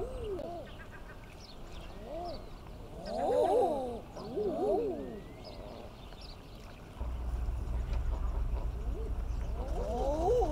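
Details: Common eiders mating in early spring: a series of soft, arched, rising-then-falling cooing calls, several overlapping in clusters, over a steady low background rumble that grows louder late on.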